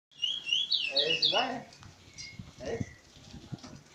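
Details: Curió (lesser seed-finch) singing continuous song at Maiobão, Paço do Lumiar, Maranhão, Brazil; bright whistled phrases around the first second and a half, then fainter notes, with a man talking in the background.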